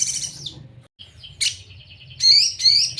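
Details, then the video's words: Crimson sunbird (sogon) tutor song: a fading trill, short squeaky notes, a quick series of thin high ticks, then loud sweeping whistled phrases repeated twice; low hum underneath. "Masteran sogon sejalur paling mudah diingat || Suara asli sogon"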